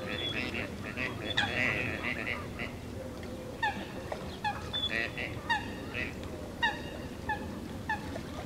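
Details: Western swamphen, described as shy, at Olhão nature reserve in Portugal in late December 2011, giving a series of nasal, honking notes with stacked harmonics, some short and repeated about every half second, over a steady low background rumble.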